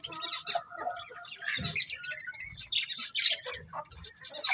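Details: Colourful budgies keep up a steady, scratchy chatter of rapid high chirps and squawky notes, with a few steadier whistled tones running beneath the jumble.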